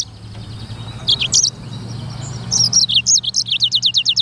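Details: Black-throated canary, called sanger, singing in a lively, chatty style: scattered high chirps, then a fast run of repeated sharp downslurred notes at the end, over a faint low hum.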